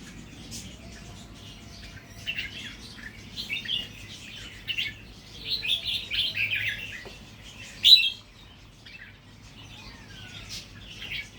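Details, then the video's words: Red-whiskered bulbul, natural singing line, now adding doubled phrases; a run of lilting, rapid warbled notes builds mid-clip, then one sharp high note stands out, over a quiet low drone. "นกกรงหัวจุกสายธรรมชาติ เริ่มมีเบิ้ลให้ได้ฟังบ้างเเล้ว"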